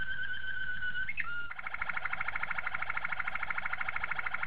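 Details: Malinois Waterslager canary, a training song: a steady whistled rolling tone, a short slurred change of pitch, then a rapid beating trill repeated many times per second.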